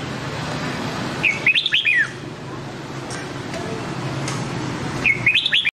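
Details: Red-whiskered bulbul singing a Nam Đông-style training song: two short, bright warbled phrases of slurred whistled notes, about four seconds apart, over a steady background hiss.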